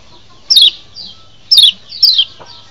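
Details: Wild-bird lure recording of a Lombok white-eye: three loud, high, downward-sweeping chips, each followed by a softer, lower echo-like note.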